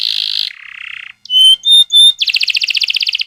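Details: Canary lure song for young canaries: buzzy rolls at two pitches, three clear whistled notes, then a fast pulsed trill of repeated notes.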